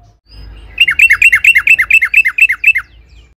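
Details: Yellow-vented bulbul in a long rapid 'ropel panjang' song used as a lure to make other bulbuls sing: a quick run of about a dozen sharp, downslurred chirps, evenly spaced, starting after a short quiet lead-in.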